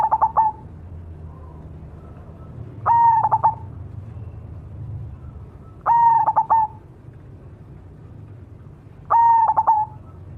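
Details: Cemani-type zebra dove repeating its pulsed cooing phrase about every three seconds, four phrases in all, each a short stuttering series of even-pitched coos, with a low rumbling hum underneath.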